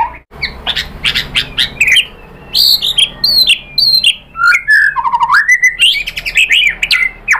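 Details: Energetic white-rumped shama song used to goad other birds into answering: dense sharp notes, high slurred whistles and a rising rolling phrase near the end.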